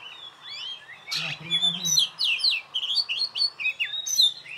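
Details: Caged contest-winning oriental magpie-robin (kacer) singing alone: a fast stream of bright, looping whistled notes, sliding up and down, with a short burst of speech near the start.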